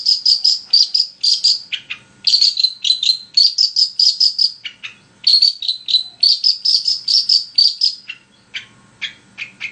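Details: Long-tailed shrike in full continuous song, a lure to make another shrike sing: long runs of high, thin, evenly spaced whistled notes mixed with harsher chips and downslurred calls, fading into scattered twittering.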